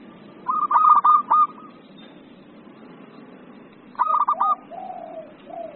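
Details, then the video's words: Agitated 'emosi' song of a zebra dove (perkutut), used for tutoring and luring: two bursts of fast stuttering coos, the second trailing into lower, drawn-out falling coos, with a faint low background rumble. "SUARA PERKUTUT EMOSI"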